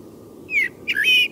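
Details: Night song of a Common Blackbird after midnight. Two clear fluted whistles: the first slides downward, the second rises and then holds steady, with a brief gap between them. A soft low hum runs underneath.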